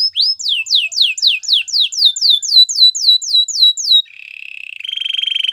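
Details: Belgian singing canary giving a regular series of slurred whistles falling from high to mid pitch, roughly four per second, followed by a low, fast purring trill.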